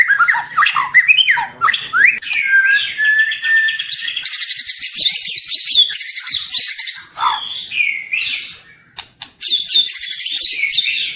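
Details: Juvenile White-rumped shama singing energetically, a varied medley of lower whistled slurs, fluttering buzzy trills and sharp chips, with brief quieter gaps between phrases.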